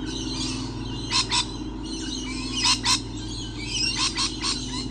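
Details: Lorikeets, numerous and all around, recorded 28 November 2013; harsh, broadband screeches in short pairs near one second, nearly three seconds and past four seconds, over a steady low engine-like hum.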